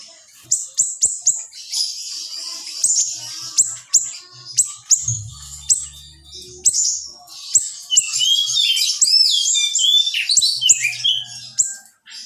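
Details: Small siri-siri singing in close, sharp rapid-fire bursts: high thin chirps and twitters about two or three per second, building into longer buzzy twittering runs with quick rising whistles, a brief low hum partway through.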